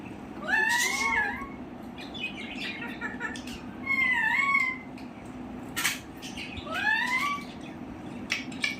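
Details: Talking pet parrot (pahari tota) says "Radhe Radhe" three times in high, nasal, rising-and-falling phrases spaced a few seconds apart, over a low background hum and a few clicks.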